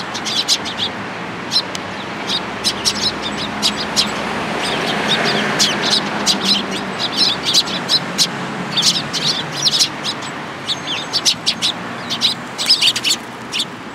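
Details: A flock of sparrows in a cherry tree at a Tenmangu shrine, 24 March 2023, chirps busily: many quick, high chips in bursts, with a low rumble briefly rising mid-way.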